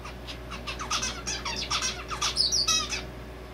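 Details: Male zebra finch singing a song that has taken in red avadavat calls, described as a cute peeping: a rapid run of short buzzy notes and chirps, ending in high whistled peeps, over a faint steady indoor hum.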